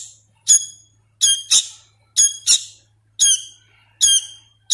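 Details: Young hand-fed sooty-headed bulbul chick, still learning its song: harsh, raspy squawks with bright ringing overtones, given singly or in quick pairs about once a second, over a faint steady low hum.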